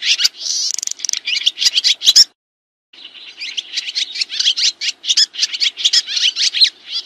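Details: Swiftlet twittering as training audio for kacer and murai: rapid high chirps and a short clicking buzz, a silent break of under a second, then steady, repeated squeaky chatter.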